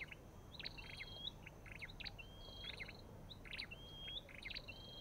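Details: Olive-backed tailorbird calling near a white-eye: thin upward-sliding whistles mixed with sharp, stuttering chirps, several phrases following each other closely.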